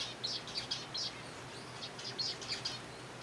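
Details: Zebra finch colony kept indoors, fed softfood, calling with clipped nasal toy-trumpet beeps in irregular clusters, several birds overlapping, over a low steady hum.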